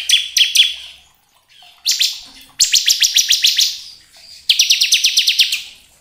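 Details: Lure song of a crystal-type bar-winged prinia for rousing captive birds to sing: a few sharp notes, then two long runs of rapid, even buzzy notes, each about a second long.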